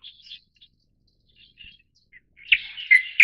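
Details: Light-vented bulbul, subspecies formosae from Taiwan: faint scattered chirps at first, then a loud burst of harsh warbled notes in the final second.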